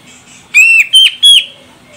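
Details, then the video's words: Female grey-cheeked bulbul, Medan type from Sumatra, calling to spur a male to sing: three loud, clear whistled notes, the first long and level, the next two shorter and slightly higher. "Cucak Jenggot Medan Betina Ini Bikin CJM Jantan langsung Koar Koar"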